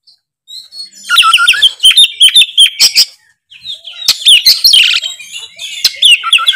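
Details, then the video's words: Oriental magpie-robin, known locally as kacer, singing gacor ngeplong: a rapid string of pulsed whistled notes, a short pause, then dense harsh chattering and squeaky whistles. "suara kacer gacor full ngeplong"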